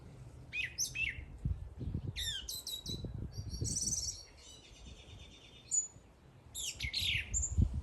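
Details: A bird sings varied high chirps, quick stacked trills and a buzzy phrase, while dull low thumps and rumbling noise sound beneath.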